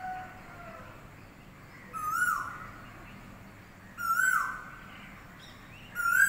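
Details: Morning birdsong: a loud, clear whistled note that slides downward, repeated about every two seconds over a quiet, steady background.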